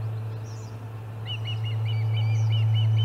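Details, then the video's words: Osprey at the Charlo nest on 30 July 2020 during a noisy fish delivery: after a quiet start, a quick string of bright, slurred chirps runs to the end, with a low steady hum throughout. "Lots of Commotion and a Fish Delivery - Charlo Osprey Nest"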